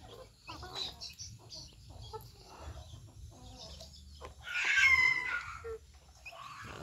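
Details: A young male red junglefowl, now adult and starting to bluff at females and wanting to mate, gives one short, harsh, clipped crow among scattered soft clucks and low murmur; one of three young captive birds.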